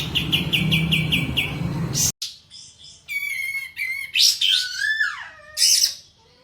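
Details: Sooty-headed bulbul in breeding condition with its tail spread, singing vigorously. A run of rapid repeated chirps over a low rumbling background gives way, after a brief silence, to clear liquid whistles, some steady, some sliding steeply downward.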